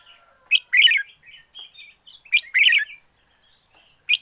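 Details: Decoy red-whiskered bulbul in fiery song: two loud, rich warbled phrases about two seconds apart, separated by softer twittering notes. A sharp single note closes the sequence.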